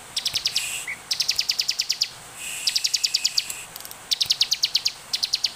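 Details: Lively bar-winged prinia song meant as a lure for other prinias: repeated phrases of fast, metallic, high-pitched ticks, each run holding about eight to twelve notes, coming almost continuously with brief gaps.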